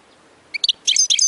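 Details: Short snippet of European goldfinch song, used to stimulate singing: a few sharp chirps followed by a bright tinkling twitter.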